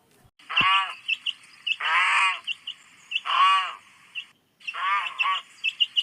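A goose gives four loud, nasal, harsh honks about every one and a half seconds, with faint high chirps of small birds in the background.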